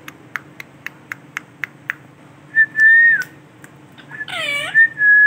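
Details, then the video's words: Male Ringneck parrot indoors: a string of clicks, then long, clear, level whistles and a loud, harmonic, downward-bending screech. "Amazing sound of Ringneck parrot beautiful male Ringneck parrot"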